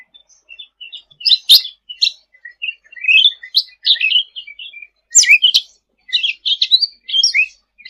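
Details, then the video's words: Sooty-headed bulbul giving energetic song meant for tutoring birds: scattered chirps lead into busy chattering phrases of rising and falling whistles, with one sharp click early on. "Suara Cucak Ranting Gacor untuk Masteran ll Suara burung cucak rante"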